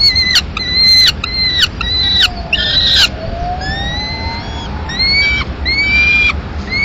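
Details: Peregrine falcon nest in Madrid, May 2016, the male delivering a live swift: short harsh repeated notes, then long thin high whines, with a fainter sliding tone in the background.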